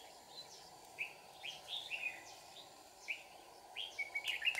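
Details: Red-whiskered bulbul in a trapping scene at Kim Bôi, Hòa Bình, with fighting song: a string of short, clear, slurred whistles at about one-second spacing, quickening toward the end, over a steady low hum.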